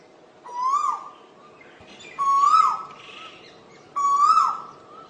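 Asian koel giving three loud, mellow whistled notes, each swooping up then holding, spaced about every two seconds; faint background chatter between.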